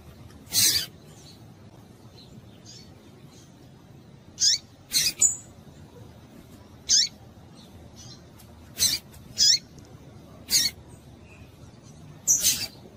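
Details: Female Double-collared seedeater in breeding condition, calling to stimulate and excite males. Sharp, very high, short chip notes come at irregular intervals, sometimes in quick pairs, about nine over thirteen seconds, over a faint low steady hum.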